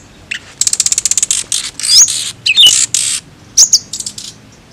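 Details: High flycatcher song: a dry, fast series of clicking notes like a ratchet, then loud buzzy bursts mixed with short whistled slurs, fading into softer ticks at the end.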